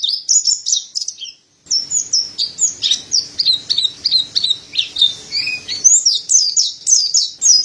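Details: Actively singing Mountain white-eye (pleci dada putih): a fast stream of high, sharp chirps and slurred twitters, broken by a short silence, then resuming densely with a faint low hum behind.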